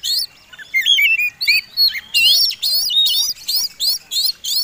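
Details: White-rumped shama fighting song, used as a lure to provoke other birds into singing: a rich run of varied whistles, then loud, rapid, repeated buzzy-whistled phrases high in pitch, each about a third of a second, with short gaps.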